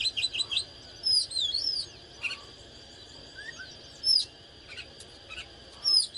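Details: Fired-up oriental magpie-robin singing while displaying: quick whistled notes at the start, then scattered sliding whistles and sharp chirps separated by pauses, with a constant thin high tone behind.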